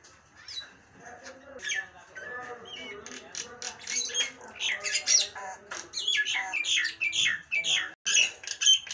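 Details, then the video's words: Nias hill myna giving a varied run of loud squawks, harsh notes and whistles, with a low tonal hum midway and brief sharp clicks, sounds packed densely throughout. "Suara burung jalak nias bikin kuping panas"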